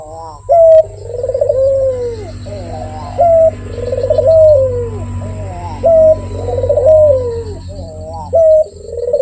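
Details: Persistent cooing of a Barbary dove, or puter: rhythmic, throaty rolling coos that each begin with a brief clear higher note and then slide downward, repeating roughly every two and a half seconds over a faint low hum.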